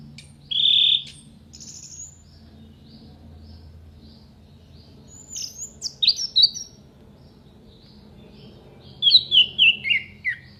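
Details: Orange-headed thrush giving sharp fill-in phrases for training contest birds. A loud buzzy burst, then scattered high swooping notes, ending in a series of five or six descending chirps, over a steady low hum.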